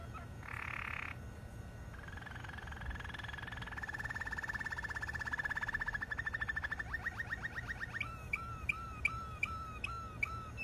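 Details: Malinois canary singing a continuous sequence of low, rolling tours: a short steady note, then a long buzzy roll that quickens and swells, breaking into rapid trilled notes and finally a string of evenly spaced, sharply dropping whistles.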